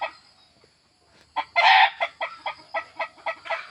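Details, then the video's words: Domestic desi hen calling: after a quiet start, one loud harsh squawk, then a steady series of about nine evenly spaced clucks, roughly three per second, with faint background hiss. "hen sound#desi murgi sound#murga dak#murgi dak"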